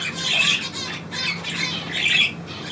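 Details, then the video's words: Trill by a pet bird on command: two dense bursts of high chattering notes separated by a short pause, a steady hum beneath. "Hansi trillert auf Komando"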